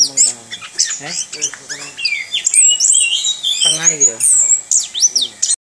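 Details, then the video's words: A captive orange-headed thrush sings a rapid, continuous rolling song of high, sweeping whistles and buzzy twitters, with a low voice-like sound underneath at times. "ANIS KEMBANG NGEROL"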